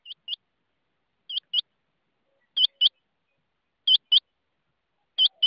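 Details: Rain quail giving a steady series of high, clipped double notes, five pairs in quick succession spaced roughly every 1.3 seconds, crisp and metallic, with nothing else audible.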